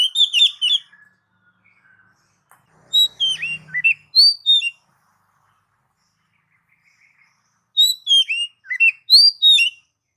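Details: Oriental magpie-robin song to stimulate pet magpie-robins: loud bursts of varied quick whistles, chirps and downslurred notes, with a faint low rumble between phrases.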